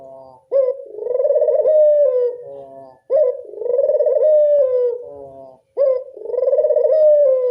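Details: Local Barbary dove coo used as a lure to attract doves. Low, rolling, purring coos, each swelling and fading over about two seconds, repeat roughly every two and a half seconds, clean with no other sounds.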